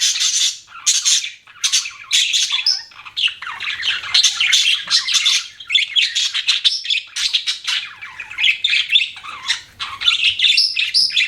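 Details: Continuous budgerigar chatter: rapid scratchy chirps and warbles run almost without pause, loud and busy.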